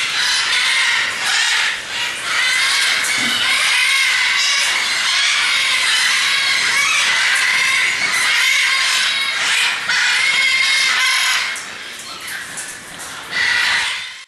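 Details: Many captive macaws at a bird facility screech at once in a harsh, raucous chorus of overlapping squawks that hardly lets up, with some shrill screams cutting through.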